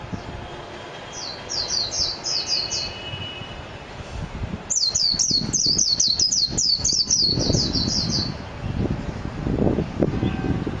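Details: Japanese white-eye (mejiro) song: a short burst of thin, high notes, then after a gap a longer, louder run of rapid slurred twitters; low rumbling background noise follows the song.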